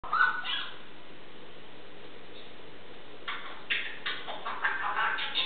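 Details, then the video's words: Pet grey parrot chattering indoors, recorded 15 August 2014: quiet at first, then a run of short, harsh, speech-like bursts in quick succession over the last two seconds. "chatting away"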